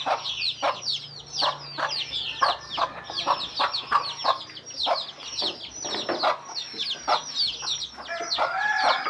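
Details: Hen clucking 'kuk kuk' to bring her chicks to their food; quick repeated clucks blend with loud, crowded high-pitched peeping from the chicks, plus a faint low hum underneath.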